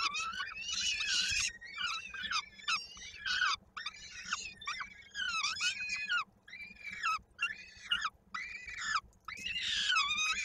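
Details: Peregrine falcon young at a Koszalin nest, Poland, 16 May 2022, fed by the female while a leg is stuck in a beak; repeated loud rasping screams in bursts of about a second, separated by brief silences.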